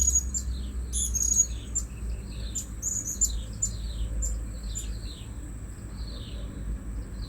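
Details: Blue-crowned hanging parrot calls used to lure birds at a new spot. Thin, high squeaky chirps repeat in quick bursts through the clip, with a steady high whine and low rumbling background noise.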